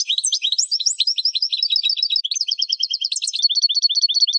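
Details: Continuous European goldfinch training song for caged birds, a busy high twittering stream of rapid repeated chirps and trills, ending in a steady series of paired tinkling notes.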